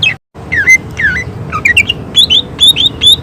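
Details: Greater green leafbird (cucak ijo) singing in the energetic tembakan style, with rapid bursts of shot-like phrases: clear whistled notes swooping down then up, sliding and rising, delivered in quick succession over a low steady hum.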